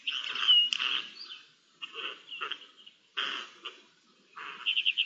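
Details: Eurasian jays (Garrulus glandarius), recorded 10 May 2021 in Spain, communicate with each other in harsh, rasping screeches in irregular bursts, about four in five seconds, some ending in a quick stuttering rattle.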